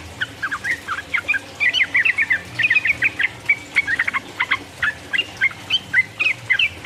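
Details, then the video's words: Sooty-headed bulbul in full 'ropel uplik uplik' song, meant to stir rival birds to respond: dense series of clear, liquid whistled phrases, quick bursts of rolling notes tumbling one after another for about seven seconds. "mancing lawan jadi emosi, trucuk gacor ropel uplik uplik merangsang lawan"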